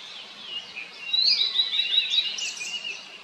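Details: A blue-and-white flycatcher, a summer visitor recorded on arrival in 2024 at satoyama woodland or a mountain stream, sings a short run of high, clear whistled notes with a few quick slurred twists, over a soft background hiss.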